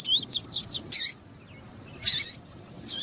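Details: Double-collared seedeater, tui-tui style, with a female calling to stimulate the male: three quick rising whistled slurs, followed by abrupt loud broadband bursts and short pauses.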